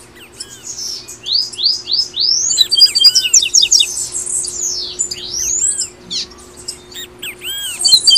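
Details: Papa-capim, or double-collared seedeater, tui tui style song for stimulating caged birds to sing: a series of rising whistled slurs, then dense twittering with looping notes, steady pace throughout, low hum running underneath.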